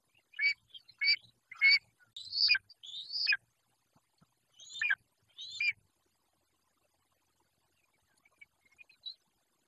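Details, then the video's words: Long-legged buzzard chick on a raptor nest in the Judean Desert, Israel, caught by a nest camera: a run of sharp, high, descending squeals in an irregular series, then near silence with a faint short note at the end. "תקריב של פרחון עקב עיטי טורף זעמן יהודה"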